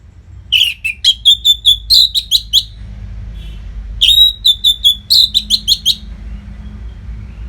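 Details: Orange-headed thrush singing nonstop as a masteran training song to keep fighter birds fit: two fast bursts of rapid, bright chirped and whistled notes, each burst about two seconds, with a quiet gap between.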